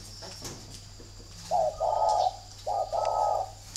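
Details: A captive spotted dove of the "thổ" type, kept at a bird farm in Ba Vì, Hanoi, gives two low, hoarse coo phrases about a second apart over a faint steady hum. Each phrase is a brief note followed by a longer rolling coo.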